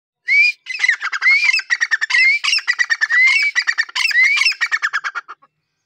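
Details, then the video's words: Dakhni francolin in an excited state calling: loud, ringing whistled notes that rise sharply, repeated about once a second, with rapid dry chattering pulses between them. The background is quiet. "Dahkhni teeter ky awaz"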